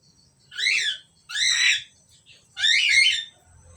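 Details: Paired Asian pied starlings giving three harsh, grating calls, each about half a second long with layered descending buzzy notes, separated by short gaps, against a quiet faint low hum.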